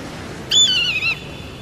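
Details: Single eagle cry, about two thirds of a second long: a high wavering whistle that wobbles and sinks slightly in pitch before cutting off, over a quiet hiss.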